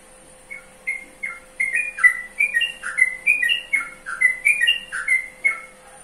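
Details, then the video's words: Yellow-vented bulbul chattering a lively string of short warbled whistles, rising and falling in quick succession for about five seconds, with a soft continuous hum beneath. "Mengenal Karakter Suara Burung Trucukan"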